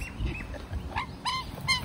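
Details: Large group of magpies, at least three families living together, calling to an old man who feeds them: a few rich, harmonic, slightly falling notes rise above a noisy outdoor background.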